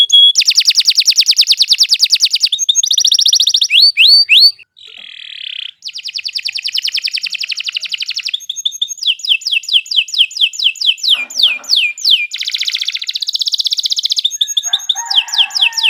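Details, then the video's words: Long, continuous canary song used as a training recording for novice songbirds: fast metallic trills alternate with runs of descending whistled sweeps and a brief lower buzzy phrase, with only one short pause in the middle. "Kicau Burung Kenari 86 II GACOR PANJANG Cocok untuk Masteran"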